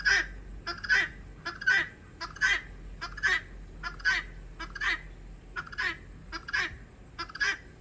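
A guineafowl gives harsh, grating two-part calls, repeated about once every second in a steady, scolding rhythm, with a faint background hum.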